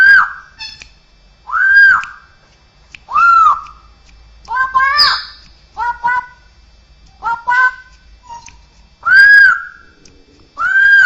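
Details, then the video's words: Straw-headed bulbul, cucakrowo, with mimicked sounds of other birds, cats and humans: harsh arched caw-like notes, repeated about every one and a half seconds, some doubled. "suara burung cucakrowo isian dengan suara suara aneh bisa suara burung jenis lain, kucing, manusia"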